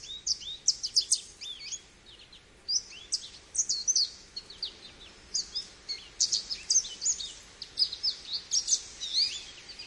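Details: Lively American goldfinch song, a long, varied stream of high, bright twitters and short rising and falling whistled notes, delivered in quick clusters with brief pauses and a faint hiss behind.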